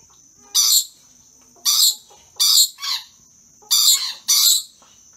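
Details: Pair of excited, playful rainbow lorikeets: six harsh, broadband screeches, grouped in twos and spaced about a second apart, over a steady high electronic whine.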